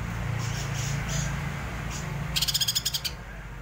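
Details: Greater green leafbird singing in the rolling, agitated style called ngerol ngamuk: soft high whistled notes, then a fast burst of about eight sharp, high notes, over a low steady hum.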